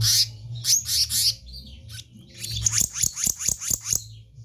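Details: Black-naped monarch (kehicap ranting) in active song: three loud harsh high notes, a pause, then a rapid string of about eight sharp, evenly spaced piercing notes, with a constant low hum underneath.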